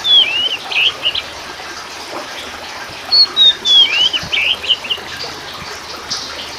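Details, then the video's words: Short bursts of song from the kacer poci form of oriental magpie-robin, Copsychus saularis musicus: quick descending whistles and warbled notes in two groups separated by a pause, over steady water-like noise. "TERAPI KACER POCI TERJITU GACOR!!!"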